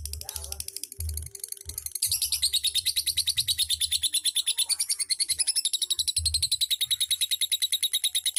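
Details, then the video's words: Lovebird in ngekek and ngetik style: a long, unbroken, high chattering trill of rapid, evenly pulsed notes, about three per second, growing louder after two seconds, with low intermittent thumps in the background. "KICAU LOVE BIRD 100% MANTAB NGETIK NGEKEK"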